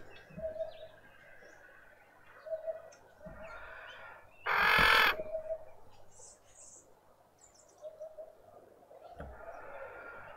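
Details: Short, loud, rasping call from a female Red-winged starling with a deformed beak in a Pretoria suburban garden, South Africa, set among repeated soft coos from another bird and a few distant chirps.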